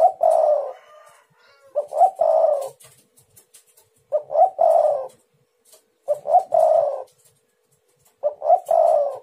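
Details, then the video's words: Spotted dove calling to lure and provoke rival doves, a repeated phrase of short hollow coos followed by a longer rolling coo, about every two seconds, four phrases in all against quiet background noise. "Tekukur super gacor bikin Lawan bunyi nyaut jos jos"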